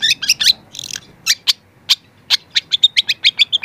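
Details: Young long-tailed shrike, used as a training recording for other shrikes, starting to bring out its mimicked repertoire: a rapid run of high, sharp chirps and short buzzy notes, then an even series of quick clipped notes toward the end.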